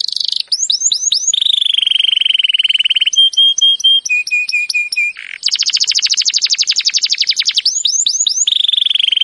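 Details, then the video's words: Belgian canary training song to prompt other canaries to join in: rapid upslurred whistle series, a sustained buzzy trill, clipped repeated tonal notes, then a long fast rolling trill and more upswept whistles, loud and clear. "Birds song Canary ❗suara Burung Kenari !!"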